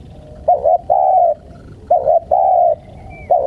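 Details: Spotted dove (tekukur) calling in the wild: low, soft cooing phrases, each a quick double note followed by a longer steady coo, repeated twice with brief pauses and a faint thin whistle between.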